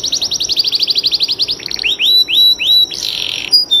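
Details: A canary sings a fast, bright trill of about ten rising notes a second, slows into a few separate upslurred whistles, then ends with a brief buzzy phrase; it is a long master song for training contest canaries.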